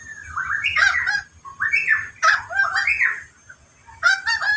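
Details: Endemic bird known locally as koak kaok giving harsh, nasal, harmonic calls in rising and falling bursts, four loud phrases over a few seconds with short pauses between them, plus a faint steady high whine in the background.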